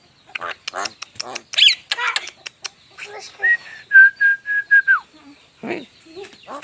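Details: Javan myna, unedited recording: a series of harsh, raspy bursts, then about five short, steady whistled notes in quick succession ending in a downslur, and a few scattered rough notes after.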